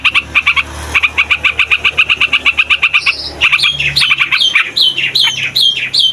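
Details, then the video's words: Yellow-vented bulbul, used to lure and train young or flock birds: a fast series of harsh repeated notes for three seconds, then bubbly, warbling whistled phrases rising and falling, over a low background hum. "TRUCUKAN RIBUT BUAT PIKAT, MASTERAN DAN PANCINGAN TRUCUKAN PAUD DAN OMBYOKAN"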